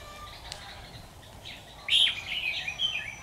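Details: Red-whiskered bulbul of the 'Mí lửa' type giving a fighting song at a trap, recorded 13 October 2019; a burst of bright warbled, chirpy phrases arrives after a quiet start, then continues with shorter twittering notes over faint background hiss.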